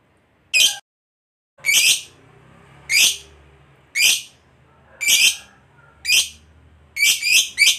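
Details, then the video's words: Lovebird of the fighter type, used as a lure to make other lovebirds answer: harsh, high chirps repeated roughly once a second, with the last few coming closer together, over faint background hum. "PANCINGAN SUARA BURUNG LOVEBIRD NGEKEK PANJANG"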